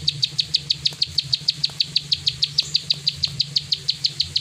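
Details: Plain prinia singing a 'klik ngacor' series of crisp, high, evenly spaced clicks at a brisk steady rhythm over a soft low hum.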